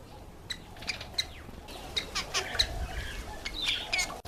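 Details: Cape weaver (Ploceus capensis): sparse sharp chips and high thin squeaks that swell into busier buzzy chattering, over a low steady hum.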